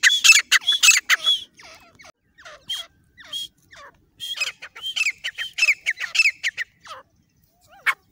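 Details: Partridge call used as a lure for hunting in jungle: loud bursts of harsh, squawky notes with sharp downward sweeps, clustered in rapid runs and then quieter scattered notes, ending with one strong note.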